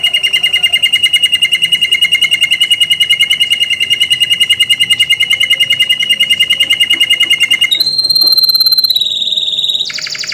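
A canary holds a long, fast, even trill for about eight seconds, then breaks into higher shrill rattles and whistled notes.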